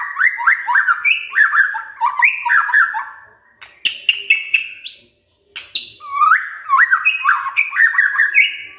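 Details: White-rumped shama singing in the morning to stir silent birds into reply, delivering bouncy phrases of falling two-note whistles with scattered clicks, a short break, then renewed whistled runs.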